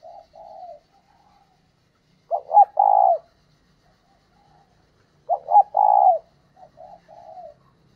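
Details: A decoy spotted dove calls to draw in wild doves. Two strong, rough three-note coos come about three seconds apart, each with soft, muffled coo phrases between them. No other sounds.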